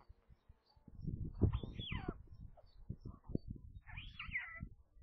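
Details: White stork chicks at a nest near Kaluga in central Russia at midday feeding on 27 May, five siblings, the youngest hatched 23 May. Arched, whining mews rise and fall over a low rumbling, thumping background.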